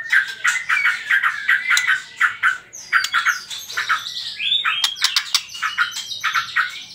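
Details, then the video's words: Trotol song from a white-rumped shama, serving as a lure to make other birds sing: choppy rapid notes at first, then higher sliding whistles and sharp ticks, returning to fast pulsed phrases. "PANCINGAN TROTOL MURAI BATU"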